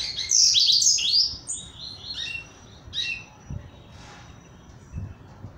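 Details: Double-collared seedeater (coleiro, Barra Mansa), coming out of moult, lighter in weight and eager to sing: a fast burst of high, sharp chirps and twittering notes in the first three seconds, then a few scattered chips over a faint low rumble.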